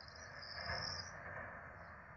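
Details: Nestling Peregrine falcons, four of them, fed at their nest in Rome, 12 April 2024: a shrill drawn-out wheezing squeal in the first second, fading away, with a low continuous rumble from the nest camera beneath.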